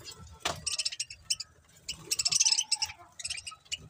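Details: Budgerigars chirping in quick, high, clicky bursts, in clusters of rapid notes with short pauses between, over a low background hum.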